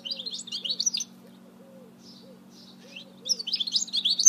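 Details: Song of a goldfinch mule, a goldfinch hybrid, from 2018: a quick, jangling twitter of high rising and falling notes, a pause with a few soft chirps and faint low repeated notes, then another energetic twittering phrase.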